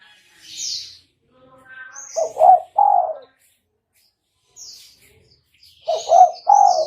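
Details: Spotted dove calling, used as a lure for trapping: two bursts of low, mellow cooing notes, each a short clipped coo followed by longer rolling coos, with faint high chirps of other small birds between them.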